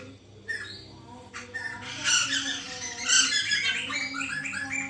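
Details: Captive white-crested laughingthrush in a lure recording meant to prompt other birds to sing: an extended harsh, babbling chatter building in loudness, with scattered squawky notes and a constant low background hum.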